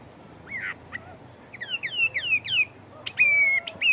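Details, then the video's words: Fighting Chinese hwamei in a cage, its song a series of clear downslurred whistles followed by a long level whistle and sharp upward notes, over faint steady background noise. "Họa Mi Chiến Siêu Mau Mỏ Bộ To Hót Tốt"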